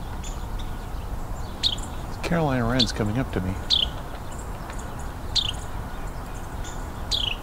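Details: Carolina wren picking food off the ground by a creek bank in winter, during a Christmas Bird Count, giving sharp, high, down-slurred chip calls every second or two, close to the observer, while a man speaks briefly over low rumble.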